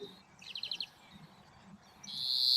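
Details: A European Greenfinch sings its fairly simple song: a quick high trill of about five notes, then a long, harsh, buzzy wheeze that swells louder to the end.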